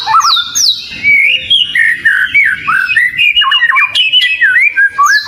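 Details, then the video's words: Oriental magpie-robin (kacer) song as training material, opening with high descending whistles, then a busy sequence of looping, warbled phrases and quick slurred notes, punctuated by short scratchy bursts. "ISIAN PANCINGAN BURUNg KACER//🐦KACER GACORR"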